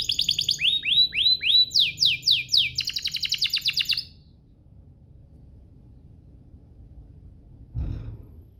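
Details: Canary singing to trigger song in other canaries. Quick falling whistles repeat in groups, then a rapid chattering trill, followed by near silence and one dull thump.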